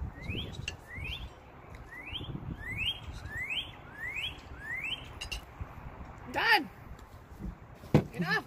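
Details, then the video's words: A Northern Cardinal in a backyard whistles a series of about eight clear upslurred notes, roughly two per second, over low background rumble; a brief voice-like sound follows near the end. "Northern Cardinal Sounds"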